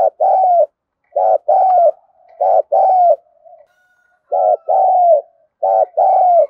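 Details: Spotted dove, likely a male, giving the thúc gù bowing coo and calling coo used to train decoy birds. Low, mellow cooing phrases of two or three soft hooted notes come in repeated bursts with short silences between them.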